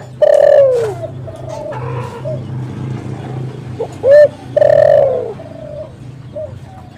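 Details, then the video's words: Spotted dove cooing for luring wild doves: a loud coo with a falling tail, then a pause filled by soft background cooing, then a short note and another long, downward-sliding coo. "SUARA BURUNG TEKUKUR ini JAGO MEMANGGIL untuk PANCINGAN & PIKAT"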